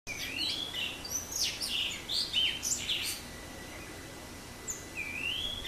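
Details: Blue rock thrush singing: clear whistled phrases, some sliding upward, mixed with quick high chirps and short trills, delivered in bursts with brief pauses; quiet background.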